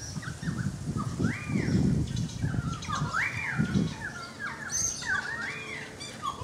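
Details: Currawong song heard from a balcony: a run of loud, ringing whistled phrases, each rising and then falling in a smooth arch, coming about once a second, with a steady low rumble underneath and a few faint higher chirps.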